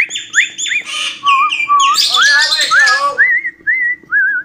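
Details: Cockatiel mimicking the tune "Johny Johny Yes Papa", opening with harsh rasping calls and rising whistles, a dense scratchy chatter, then clear wavering whistled notes fading out.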